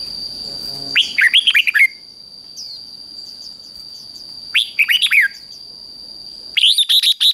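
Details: Red-whiskered bulbul singing in the ché style, used to provoke other bulbuls into competitive singing. Three bursts of quick, warbling, slurred notes at about one, four and a half, and six and a half seconds, with a steady high thin tone throughout.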